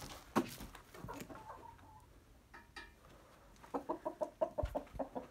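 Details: Hens and a rooster in their coop on a typical day: scattered soft clucks early on, then a quick run of clucks repeated about three per second near the end.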